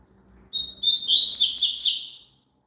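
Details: Double-collared seedeater song, played so a caged bird will sing along: a thin high note, then a fast, high twittering warble of about two seconds, with a faint low hum behind it.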